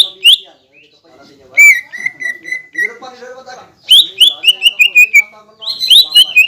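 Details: Green leafbird song for provoking rivals to sing, said to hold kingfisher and magpie robin phrases. A sharp note, a steady row of level whistles, soft warbling, then rapid descending whistled series.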